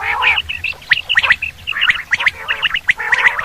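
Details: Quail used in hunting gives a continuous, squawky chatter. Short clipped notes and buzzy bursts run together in uneven groups. A low hum sits underneath.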